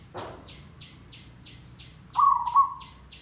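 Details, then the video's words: Zebra dove song used as a trapping lure: one warbling, slightly trilled coo, mid-pitched and level, about half a second long, over a steady fast ticking like an insect and low background hum. "Merbok Tandang Derak Lebat - Perkutut Gacor Pancingan Ampuh - Suara Mikat Perkutut Merbok"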